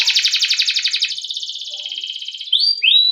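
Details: Canary long rolling song used to teach other canaries: a steady, rapid high trill lasting over two seconds, ending with two loud rising whistled swoops.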